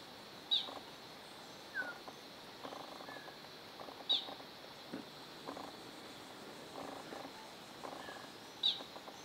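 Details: A striped manakin at Reserva Serra Bonita, Camacan, Bahia, NE Brazil, in November 2016, gives a sharp high single note about every four seconds over a soft forest hum with fainter, lower chirps; Striped manakin.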